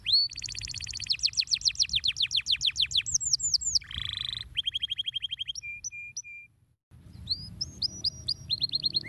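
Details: Canary singing, used to stimulate other birds to sing: fast trills of repeated sweeping high notes, a harsh buzzy burst, a run of rapid clicks, three separate flat whistles, then a short pause and more rising trilled phrases, with faint low hum behind.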